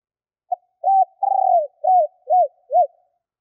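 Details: Female spotted dove used as a lure, calling to attract males: a short note, then a drawn-out rolling coo followed by three clipped, evenly spaced low coos, clean and without background noise.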